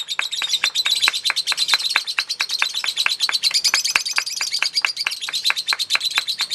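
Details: Lovebird in a singing contest giving its long chatter song: a fast, even stream of sharp, high chirps, about ten per second, kept up without a break throughout.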